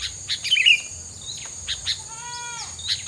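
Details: A single bright chirp burst followed by a stacked, slightly falling whistle-like tone, over a steady high hiss, from filler song meant to keep rival birds away.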